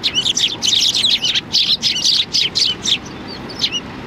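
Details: Gathering for food at a Tenmangu shrine on 16 January 2020, sparrows pour out fast high chirps, roughly two a second, thinning to a few isolated notes at the end.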